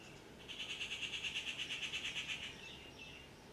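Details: Rufous treepie giving a fast, even series of bright, clipped notes, about five each second, lasting two seconds and ending in a couple of softer notes, over low background hiss.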